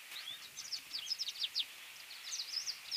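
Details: Drakensberg siskin (Crithagra symonsi) song: a fast, high jumble of thin twittering notes and short buzzy trills, pouring out almost continuously with a brief pause midway.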